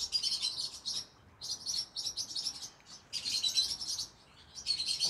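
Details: Evening singing from a green-cheeked conure: dense, high, scratchy twittering in several phrases separated by short pauses, over a steady background hiss.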